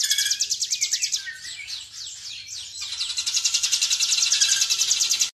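A Hill Prinia sings a fast stream of high, sharp, ticking notes, broken by a few sweeping chirps, then rushing into a dense, rapid trill.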